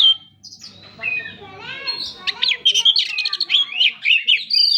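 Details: Oriental magpie-robin in gacor song: a soft mix of warbled notes opening into a fast, loud string of sharp whistles and chattering trills.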